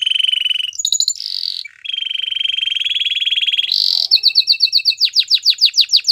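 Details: Belgian canary song with a long, even buzzing trill, brief higher notes, a resumed low roll, then a rapid run of clipped high chirps and falling whistles.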